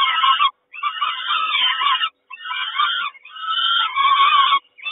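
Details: Kawęczyn peregrine falcon nest on 3 June 2022 while the mother brings breakfast: loud, screechy, wavering calls in three bursts of roughly one and a half seconds, separated by brief silences.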